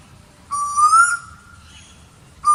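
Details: A single drawn-out whistled call from an Asian koel (Eudynamis scolopacea), climbing gradually and then holding steady, with the start of the next call cut off at the end.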